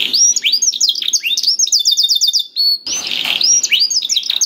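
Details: Canary singing, used as a lure to prompt a quiet canary to sing: fast varied song of bright rising and falling whistled notes and rapid trills, with a short harsh buzzy burst near the middle.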